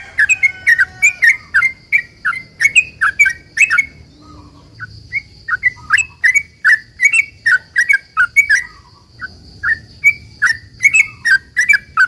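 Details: Sooty-headed bulbul delivering long rapid 'ropel' song as a lure for other bulbuls to answer: quick bubbly chirps in two long runs split by a quieter stretch of softer notes, with a steady faint high tone throughout.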